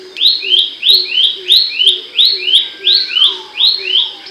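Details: Abbott's babbler giving a loud, sharp song: paired slurred whistles, each rising then dropping, repeated about every half second in a steady run. A fainter low hum runs underneath.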